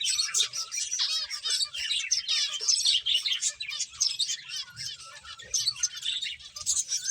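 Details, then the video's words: A group of finches eating gives continuous high chattering, with trilled and buzzy chirps overlapping in quick succession throughout. "Cute Birds Chirping Sounds | Beautiful Finches Eating"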